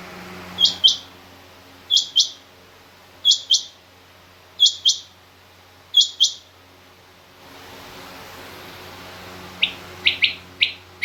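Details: Female rain quail calling with evenly spaced pairs of high, clipped notes about every one and a third seconds, followed near the end by a few lower, rapid chirps from another caller.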